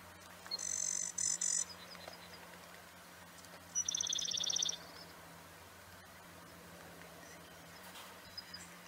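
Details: Sedge wren (Cistothorus platensis) gives two brief, very high, dry buzzy trills a few seconds apart, over a faint steady low hum.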